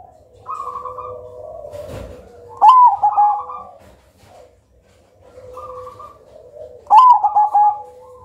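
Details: Black Majapahit zebra dove (perkutut cemani), praised for a thick, loud voice and melodious rhythm and used to lure other birds, cooing: two rolling phrases about four seconds apart, each a sharp opening note followed by a burst of trilled coos.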